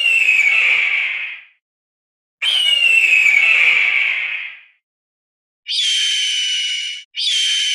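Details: Northern goshawk giving two long, drawn-out wailing screeches that slowly fall in pitch, followed by two shorter, harsher and broader squealing calls.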